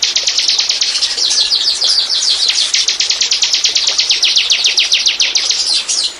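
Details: Bar-winged prinia used as a lure for birds: one unbroken run of rapid, high, sharply repeated notes, steady in pace and loudness throughout.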